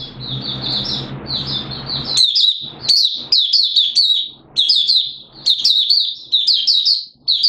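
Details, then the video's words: Open 'buka sing' song of a Malaysian Oriental white-eye, Singapore, 29 March 2023, warm humid with sudden showers: high twittering first over background hiss, then clearer rapid chirping phrases with short gaps. "Malaysian Mata Puteh Buka Sing"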